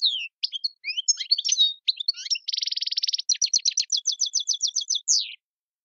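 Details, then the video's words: European goldfinch song, apparently a wild Algerian bird: high liquid twittering, then a rapid buzzy trill and a run of quick repeated notes, ending on a falling slur; no other sounds. "chant chardonneret tiwawati mondolin servati saw saw sepla sepla djiw"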